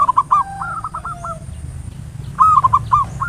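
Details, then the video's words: Local zebra dove giving ngayer nulop cooing, a lure to stir doves into singing: two rapid trilled coo phrases of stuttering notes at a steady low pitch, over faint background hum. "Perkutut lokal PANCINGAN SUARA NGAYER NULOP ampuh merangsang cepat EMOSI BUNYI GACOR"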